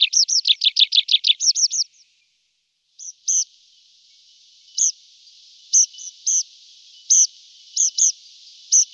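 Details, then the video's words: Tree pipit in summer opens with a fast, high trill of about a dozen bright repeated notes, then gives scattered single sharp notes over a faint steady hiss. "Prispolone canto richiamo"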